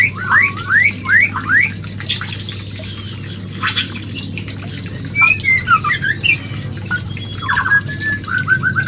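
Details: Shama mating call used to stimulate a hen to breed: opens with a quick series of rising, hooked whistles, then sparse high flicks, closing with rapid repeated chips and trilled notes, all over a constant electrical-sounding hum.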